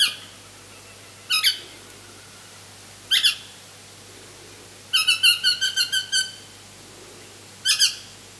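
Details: Baby pale-headed rosella demanding food while being fed by an adult: loud, harsh, nasal squeaky notes given singly or in pairs, then a rapid run of six notes, with quiet pauses between bursts.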